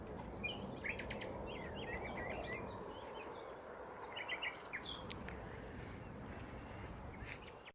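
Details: Nightingale song from hedges at Braziers Meadow, Orwell Country Park: bursts of quick stuttering chirps and short rattles in several phrases separated by pauses, set against steady rustling background noise.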